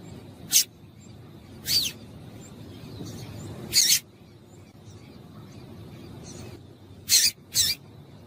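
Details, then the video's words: Female double-collared seedeater calling to stir males into singing: five short, sharp, high chips at uneven intervals, one with a quick downward slur, two close together near the end, over a faint low rumble. "Piado de Fêmea de Coleiro para Esquentar Coleiro"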